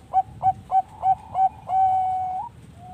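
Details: Lure song of an actively singing Bangkok zebra dove, meant to prompt other birds to sing: five short coos at a steady quick pace, then one long held note that lifts slightly at its end, followed by a faint final coo.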